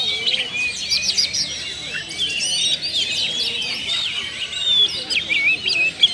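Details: Oriental magpie-robin (kacer), a kept bird, giving a lure song with its full repertoire of learned phrases: a dense, unbroken stream of high whistles, sharp chirps and rapid trills that overlap throughout, with faint background hiss.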